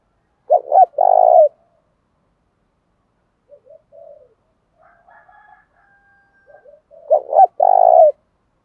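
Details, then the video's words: Spotted dove lure calling in the Thổ Pha Đồng style. A low phrase of short coos ends in a long burred note. Faint soft chirps follow in a quiet middle stretch before the phrase comes again. "tiếng thuc cu cườm giọng Thổ Pha Đồng"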